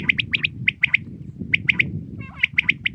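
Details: Common quail in the morning uttering clear triple-note calls, three quick sharp syllables per phrase, repeated four times in close succession against a faint low hum.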